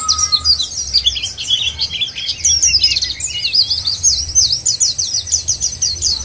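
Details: Lure of white-eye song to make white-eyes sing: a dense high warble that shifts into a fast, even series of sharp repeated chirps, preceded by a short lower whistle.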